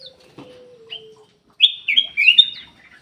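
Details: Bulbul singing, kutilang emas, used as a lure to make reluctant caged birds sing: a few rich whistled notes in a quick burst late on, after a faint sustained low hum tone and soft scattered chirps.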